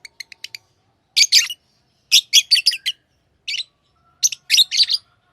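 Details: Tamed lovebirds: a quick row of tiny ticking notes, then clusters of loud rasping chirps in twos and threes, each group about a second apart.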